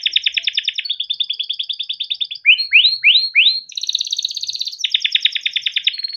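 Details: Yellow canary, a tutor bird for young canaries, singing fast pulsed trills, then four loud rising whistled sweeps spaced about half a second apart, followed by high rolling trills.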